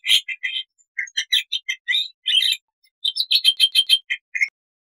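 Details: Varied chattering song of a Black-winged starling, recorded as training material, with short whistled chirps in uneven groups, then a fast run of bright, buzzy repeated notes.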